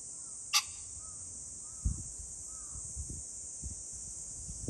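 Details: A pheasant on 21 July 2024 gives a single harsh, explosive, brief crow, with a steady high insect drone throughout and faint soft whistles and low thumps.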